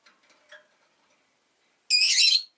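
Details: Rosy-faced lovebird kept as a pet, one sharp, raspy, high chirp after faint, quiet background twitters.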